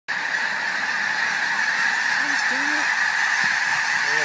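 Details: A flock of thousands of snow geese taking flight on Fir Island makes a dense, continuous roar of overlapping high honks, with a few low voices breaking through.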